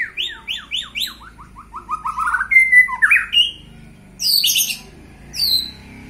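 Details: White-rumped shama kept as a pet, stirred into anger to train its fighting spirit: a fast series of descending whistled notes, a sustained clear whistle, then loud high buzzy bursts repeated twice.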